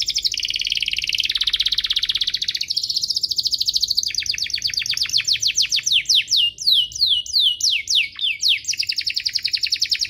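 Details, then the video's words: Domestic canary singing for young canaries to learn and to encourage canaries to sing: long buzzy rolls that switch pitch, then a steady series of steep descending notes repeated several times a second. "Suaranya MUDAH DITIRU, Efektif untuk Masteran Kenari Paud dan Pancingan kenari biar gacor"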